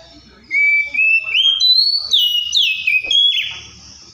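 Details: Oriental magpie-robin singing loud clear whistles that step upward in pitch, then a series of sliding, falling whistled notes.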